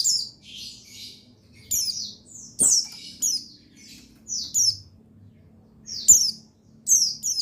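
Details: White-eye of the buxtoni type, a male used as a singing trigger: a run of high, thin, steeply descending chirps, often in quick pairs, with brief pauses and a faint low hum behind.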